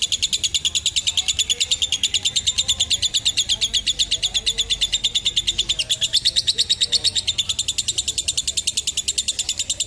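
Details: Extended lovebird ngekek, a chattering trill used to train fledglings and as a master song: dense, rapid high twittering pulses running without pause for ten seconds, slightly wavering in pitch, with faint soft lower notes beneath.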